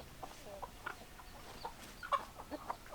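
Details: Hens clucking softly and sporadically, with short low clucks spaced apart and a few slightly louder pops near the end, against a quiet noisy background.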